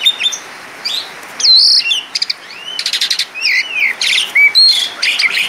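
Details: Asian pied starling singing 'jalak suren gacor' style with a rich 'isian' repertoire: scattered whistles at first, then a fast rattling series and sweeping whistled notes interleaved with harsh chatter.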